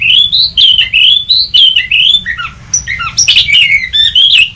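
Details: Oriental magpie-robin (kacer) lure call; fast run of loud whistled notes, rising slurs and harsh squawky chirps almost continuous, with low hum beneath.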